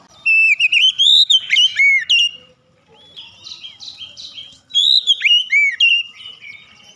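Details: An Oriental magpie-robin, called kacer, singing loudly and openly: fluent whistled phrases with arching notes and rapid trills, a softer twittering passage, then another rich burst of melodious whistles.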